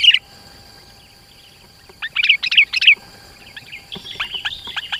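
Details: ['Sooty-headed bulbul in full song, its dense song used to lure rivals nearer and to tutor other bulbuls. It gives a loud opening note, a pause, three sharp bubbly phrases, then a scattered chirpy warble.']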